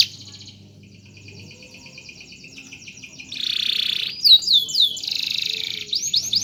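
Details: Lively canary song meant for tutoring other canaries; quiet faint trilling at first, then loud buzzy rolls and sharp swept whistles in the second half.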